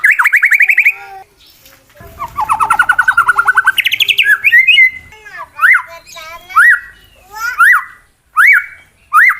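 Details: White-rumped shama, a male contest bird, sings a provoking fight song: fast pulsed trills rising in pitch, then a series of sharp upswept whistled notes spaced about a second apart.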